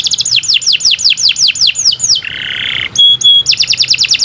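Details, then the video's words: Canary singing nonstop, used as tutor song for other birds: quick rhythmic falling whistled sweeps, then a low grating buzzy rattle, two pure piercing whistles, and a return to the rapid downslurred phrases. "Kicau Burung Kenari 123 II LUAR BIASA GACOR PANJANG"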